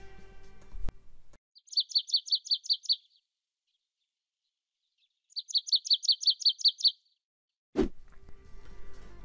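Marsh Tit singing two quick bursts of about eight bright, high, evenly spaced chipping notes, a few seconds apart; brief low noise at start and end.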